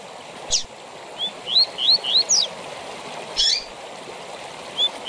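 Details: Double-collared seedeater giving the 'tui tui zel zel' song, a style played to train captive birds: a quick run of four high upslurred whistles ending in a sharp falling note, then a brief squeaky burst, against constant watery background hiss.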